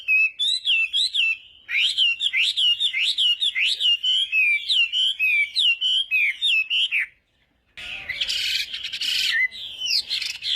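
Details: Chinese hwamei singing in a contest-style morning voice-training session: rapid clear whistled phrases, each rising then falling, repeated nearly twice a second for seven seconds, then a short pause and a burst of harsh, noisy rustling.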